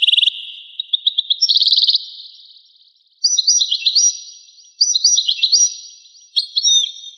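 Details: Rare goldfinch recording from 1985: a buzzy trill and a few chirps open, followed after a silence by three separate phrases of bright twittering and ringing slurred whistles.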